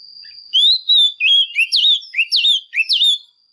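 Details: Female Oriental magpie-robin singing hard to stimulate males: about nine loud, clear whistled notes in three seconds, each a swooping rise-and-fall slur, some dipping low then leaping up, over a faint steady high whine.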